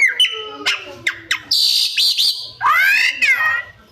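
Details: Magpie-robin mimicry: a few sharp ticks and whistles, then a buzzy high trill and a long rich wavering note that slides down, resembling another creature's call.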